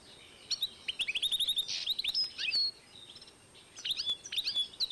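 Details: 2012 recording of a European goldfinch x canary cross: a quick series of upslurred chirps, a short buzz, more twitters, a pause, then a fresh run of bright sliding notes.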